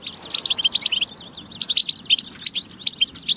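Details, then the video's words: European goldfinch tabtaba song for stimulating singing: a steady stream of bright, chattering chirps and short liquid trills at high pitch, fairly even in loudness throughout. "بتبة فتاكة لتحفيز الحسون على التغريد والجهوزية"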